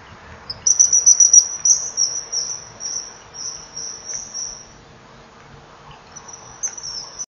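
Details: At 18:40, a common kingfisher at a breeding-wall nest sees something frightening above and flees, calling loudly: shrill, piercing high whistles in a fast piping run, a pause, then brief calls again over a faint steady hum.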